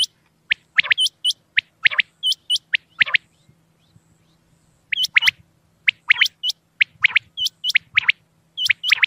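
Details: Night-time calls of the common quail. Bright, clipped notes come in repeated clusters, mixed with thin hooked whistles, and there is a quiet gap midway.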